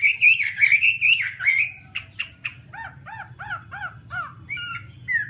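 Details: Chinese hwamei song opens with loud, warbling, wavering whistles, then a run of evenly repeated arched down-slurred notes about three per second, ending in short whistles; faint low hum beneath.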